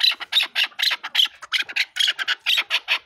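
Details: Chukar partridge giving a rapid, raspy series of clipped chuck notes, roughly four to five a second, loud and evenly spaced throughout with no other sounds.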